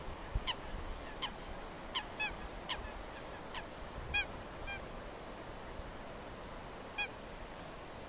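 Ferruginous duck giving short, harsh, clipped calls at irregular intervals, roughly a dozen in eight seconds, over a steady low rumble.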